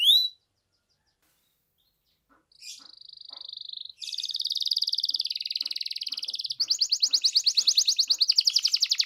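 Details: Canary song played to coax a quiet canary into singing: a brief note, a pause, then a steady high buzzing roll that grows into a loud, fast, pulsing trill.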